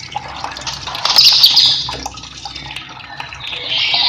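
Velvet-fronted Nuthatch giving high, thin, rapid chattering trills, about four notes a second, in bursts that swell and fade.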